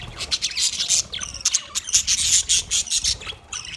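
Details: Budgerigar chirping and singing: dense, high, scratchy chatter of rapid chirps and squawky bursts, nearly continuous with brief gaps.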